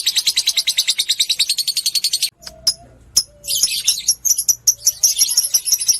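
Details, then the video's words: Lovebird fighter ngekek used to stimulate other lovebirds: rapid rasping chatter for about two seconds breaks off, followed by scattered sharp clicks and a brief hum, then a looser, squeaky chattering resumes. "pancingan love bird ngetik merangsang love bird ngekek panjang"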